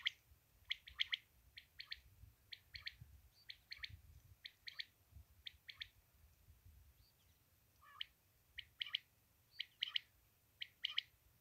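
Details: Common quail in Pakistan, recording used for hunting: liquid three-note 'wet-my-lips' phrase, high and clipped, repeated about once a second over a low background rumble.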